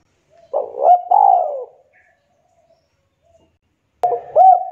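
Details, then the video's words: Spotted dove calling to its companions with a mid-pitched coo phrase: a quick rising note followed by a long, slurred, descending coo. Near silence follows, then a new phrase starts with rounded rising coos. "Suara Burung Tekukur Memanggil Temannya IKUT BUNYI"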